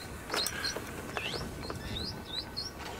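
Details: Several Meyer's parrots squawk noisily from thickets in trees at sunset, June 13, 2017, at Djuma Game Reserve: a scatter of short, shrill, slurred squawks, some rising and some falling, over a steady hiss of background noise.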